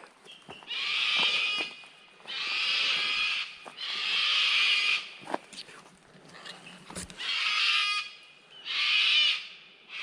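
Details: On a wet, cloudy morning on Hogan Track in Lerderderg State Park, Australia, a kookaburra starts its song with five rough, raucous cackling bursts of about a second each, building up, with cockatoos nearby.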